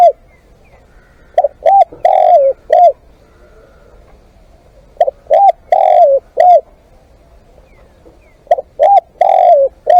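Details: Spotted dove used as a live decoy, cooing in three evenly spaced phrases of two quick notes, one long sliding croon and a closing coo, with pauses of about three seconds between phrases.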